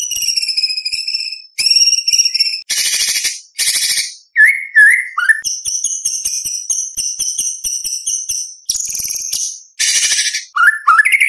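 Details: White-rumped shama singing a varied competition-style repertoire with mimicked phrases: high harmonic whistles and harsh buzzy bursts alternating with quick slurred notes, delivered in dense bursts.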